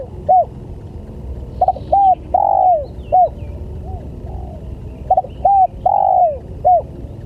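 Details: Spotted dove lure call to attract other doves, repeated cooing phrases of clipped notes, a short coo and a long falling coo, with isolated single notes between and faint higher chirps in the background.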